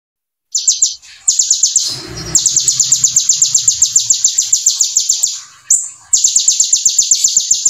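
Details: Brown-throated sunbird (konin) singing in full, rapid-fire style, with ciblek material mixed into its song: fast trains of sharp, high ticking notes repeated several times per second in long runs, broken by a brief burst of low noise.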